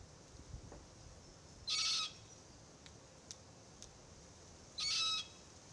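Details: Begging immature of the threatened Forest Red-tailed Black-Cockatoo, Calyptorhynchus banksii naso, in a Marri eucalypt, calling with two rough, drawn-out rasps roughly three seconds apart; faint clicks between.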